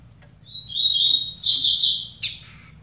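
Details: A double-collared seedeater, one of two in a song contest, gives a quick, high twittering phrase over a second long that rises and thickens, ending in a sharp note over a faint low hum; the finding is double-collared seedeater.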